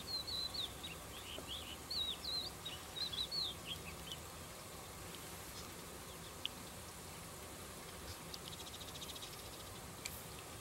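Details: Cretzschmar's bunting (Emberiza caesia) in Israel gives a quick run of thin, high, slightly slurred notes for about four seconds, then falls quiet over a steady soft hiss.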